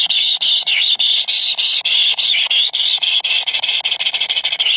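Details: A trio of hungry baby birds cries for food with continuous shrill, high squealing that dips in pitch now and then. The squeals are chopped into short bursts, and the breaks come faster toward the end.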